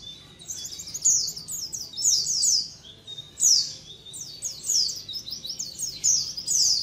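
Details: Colony of white-eyes chattering, a lure for attracting the species. Dense runs of high, sliding chirps repeat irregularly, some with quick trilled ends.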